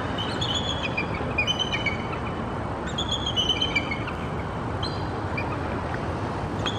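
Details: Bald eagle pair in The Woodlands, Texas, on 22 February 2018, the female replying to her mate; such calling between them is often a sign they will mate. High, thin chattering notes come in bursts over a loud, steady roar of background noise.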